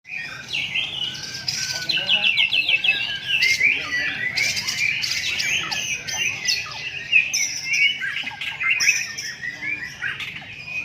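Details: White-rumped shama singing at a bird song contest in Palembang, Indonesia: a dense, continuous stream of high, rapid chirps, trills and sharp whistles, with several overlapping singers and faint human voices underneath.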